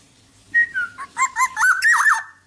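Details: Tame uncaged black-naped oriole sings a slurred whistle followed by quick mellow notes climbing into a loud wavering fluty flourish, with a faint background hum.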